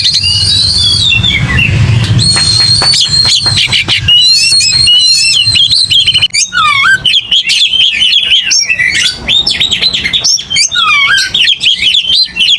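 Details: An aggressive, fighting Oriental magpie-robin sings a long, varied song. High thin whistles give way to sharp clicks, then dense runs of rapid rising and falling whistled notes and chatters that run on continuously.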